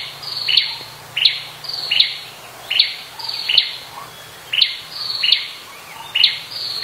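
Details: High, abrupt tsip calls of a Blood-breasted Flowerpecker in the wild, coming at slightly uneven intervals of roughly half a second to a second, with a faint low drone underneath.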